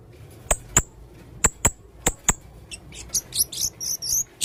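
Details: Energetic song of a male blue-crowned hanging parrot, delivered in a busy, filled style. It opens with a series of sharp clicks about half a second apart, then breaks into quick, very high chirping notes.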